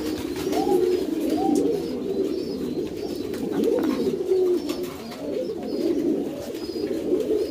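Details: Fancy pouter pigeons, domesticated rock doves kept for their huge inflatable crops, in steady indoor cooing: deep burbling coos from several birds overlap, with brief upward-bending notes recurring every second or so.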